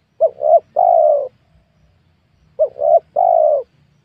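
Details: Calls from a spotted dove while wild doves were being lured on newly worked land planted with small oil palms. Two cooing phrases about two and a half seconds apart, each a quick double note then a long, gently falling tone.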